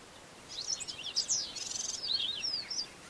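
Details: Black-bellied Starling, a male, in full song, a recording in which he later mimics Brown-hooded Kingfisher and Fork-tailed Drongo. A dense, high-pitched chattering warble of quick slurred and buzzy notes runs without pause for over two seconds.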